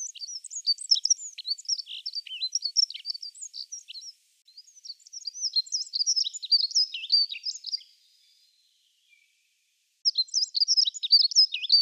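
A dunnock sings fast, high, jingling warbles of thin squeaky notes in phrases of several seconds, with a brief pause before the next phrase.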